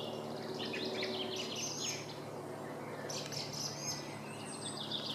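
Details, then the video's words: Singing song thrush gives short bursts of piercing chirps and trilled notes separated by brief gaps, with steady low background hum. "Song trush"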